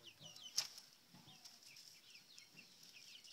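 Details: Seven-week-old chickens at the coop getting mealworm and cricket treats; faint high chirps that slide downward, repeated irregularly, with one sharp click near the start.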